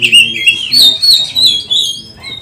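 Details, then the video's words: Short burst of Oriental magpie-robin song used to provoke rival magpie-robins: bright, sliding whistled notes pulsing roughly every half second, rising and falling, fading out at the end. "Pancingan kacer gacor nembak untuk melatih kacer"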